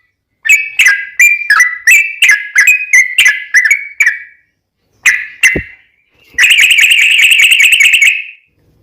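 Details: Sooty-headed bulbul singing as a lure for other bulbuls: a string of bright gurgling whistled notes, a short pause, two more notes, then a fast buzzy trilled chatter lasting about two seconds.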